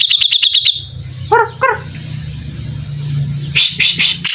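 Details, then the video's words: Grey-cheeked bulbul in a 'beset ngepik' style: a quick high trill, two lower nasal notes, a low rumbling hum, then loud buzzy chatter bursts. "cucak jenggot gacor dor"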